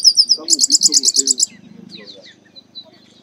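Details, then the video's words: Chestnut-capped blackbird, the Garibaldi or Baia de Chiqueiro, in song: a brief high trill followed by a fast, even run of about eight bright repeated notes, then softer chattering and a low background hum. "Garibaldi Cantando"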